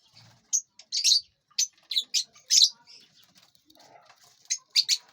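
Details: Aviary lovebirds eating seeds, fruit and vegetables and flying about utter shrill, short chirps in clusters, pausing briefly before another quick pair of high notes.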